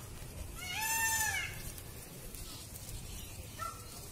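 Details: A displaying peacock fanning its tail gives one loud, nasal, wailing scream that arches up then falls, followed by a fainter, shorter call near the end over a low background rumble.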